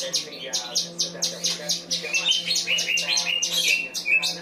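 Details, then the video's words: Cucak cungkok singing with kinoi material: rapid, repeated sharp high chips about twice per second, then twittering trills and short whistled notes near the end, over a faint low steady hum. "Cungko materi kinoi"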